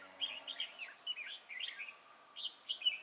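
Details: Red-whiskered bulbul used as a decoy bird in a trap for catching wild bulbuls: bright warbled phrases, rising and falling between about two and four kilohertz, in several short bursts over three seconds, fairly clean background.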